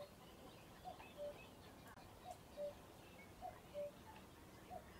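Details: Common cuckoo at Ham Wall reserve in Somerset, UK, repeating its two-note call, high then lower, four times at steady intervals, with faint bird chirps behind.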